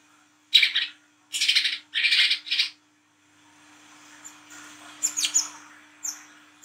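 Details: Olive-backed sunbird (wiceh trotol) chattering at night, ngriwik style, as lure material: three harsh buzzy rasping bursts in a row, then softer high whistled chips and short upslurred notes over a continuous faint hum.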